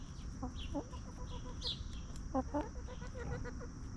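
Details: Hens living free-range on a farm, feeding on treats and scratching the ground. Clear, evenly spaced soft clucks sound in two loose series, each note a brief harmonic tone, above a low rumbling background.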